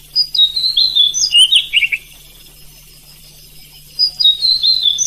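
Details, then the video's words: An oriental magpie-robin at night, sung as a provoking example for other magpie-robins: a short burst of high whistles ending in a quick descending trill, about two seconds of quiet, then fresh whistled phrases over a faint hum. "Gak Pake Lama Kacer Lain Pasti Bunyi | Masteran Kacer Kurang emosi malam hari"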